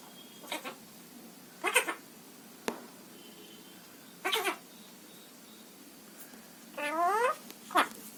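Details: Pet parrot at home in Assam, India, giving a few short harsh calls spread over eight seconds, ending with a longer wavering call that rises and falls, then one more sharp note; quiet room background.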